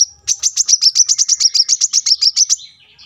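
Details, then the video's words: Brown-throated Sunbird in full steady song, recorded at a roadside home as a tutor for cage birds: a fast, even trill of about sixteen high, sharp chirping notes lasting over two seconds, then a softer, fading tail. "kolibri kelapa gacor masteran untuk burung bahan agar cepat bunyi gacor setiap saat"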